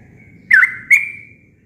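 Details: Yellow-vented bulbul natural song, recorded without added filler sounds and meant as a tutor recording for caged birds: two quick clear notes, each sliding into a long, steady, slightly fading whistle, over a faint low rumble.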